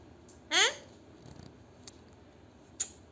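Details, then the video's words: A pet parrot called Mithu says "Pari" in Urdu/Hindi: one short, bright, drawn-out word, then silence, with a couple of faint clicks in a quiet room. "Parrot Talking in Urdu/Hindi"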